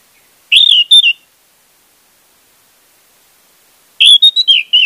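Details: Lure song of the orange-headed thrush meant to start a quiet bird singing: two short phrases of bright, high whistles and chirps, separated by about three seconds of silence.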